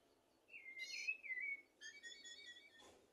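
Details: Common blackbird song, played to tutor goldfinches and canaries: a clear whistled note sliding gently downward, then a short run of steady, harmonic-rich fluted tones, ending in a brief soft rasp.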